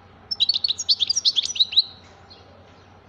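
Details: European goldfinch song: a rapid, liquid run of high twittering notes lasting about a second and a half, then a pause and one final chirp, with a soft steady hum behind.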